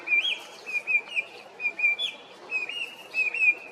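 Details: Chinese hwamei song in short bursts: clear whistled slurs, several brief upslurred and downslurred notes spaced about half a second apart, fairly even pitch, faint hiss behind.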